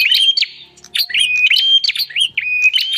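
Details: Bar-winged prinia lure: a few loud whistled notes, flat then flicking upward, interspersed with sharp ticks, in two quick bursts.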